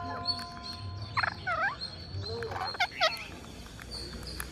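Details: Green parakeet while feeding, giving harsh, buzzy calls in short bursts. Each call is a stack of chevron-shaped notes that rise then fall, grouped around the first and third seconds, over a steady low hum.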